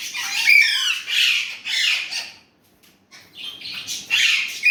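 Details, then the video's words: Urdu/Hindi-talking Indian ringneck parrot utters a run of rough, throaty syllables, then falls quiet for about a second before resuming with softer, then louder, scratchy voice-like sounds. "Indian ringneck parrot amazing talking parrot"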